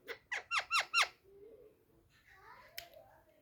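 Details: Talking pet parrot, said to be angry, indoors: a fast run of five sharp squeaky notes, then low mumbled talk-like sounds and a click.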